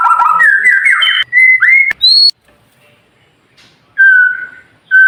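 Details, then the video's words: White-rumped shama training song, described as sharp and clear, for birds that stay silent: quick stepped whistles climbing in pitch and a high note. A near-silent pause follows before pure whistled notes return. "Suara Murai Batu Masteran Cepat Gacor"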